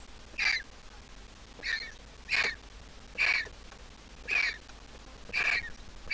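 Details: Squeaking of a well-grown Griffon vulture nestling in its nest. Six short, hoarse, high squeaks come at slightly uneven intervals of about one second, each a brief bright burst, with little other sound.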